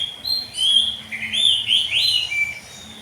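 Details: Morning song of an oriental magpie-robin, kept to train young birds to join in: rich whistled phrases with rising and falling slurs, delivered loudly in a brief flowing sequence.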